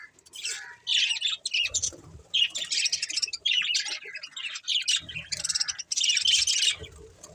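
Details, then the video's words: Budgerigar chirps and squawky warbles in rapid clustered bursts, high and scratchy, with brief gaps between phrases and occasional low thumps in the background. "Budgies Chirping Sounds"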